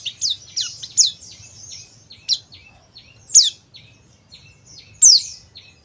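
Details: Lure calls of a male oriental white-eye, dakun type from Bali: rapid high descending chips early on, then louder downslurred notes spaced one to two seconds apart with quieter twitters between.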